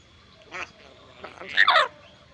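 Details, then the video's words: Black-capped lory mimicking human words: a soft voiced sound followed by a short, harsh, speech-like utterance of a second or less, rich and raspy, in an otherwise quiet setting. "Burung Nuri Pintar Bicara Banyak Kata"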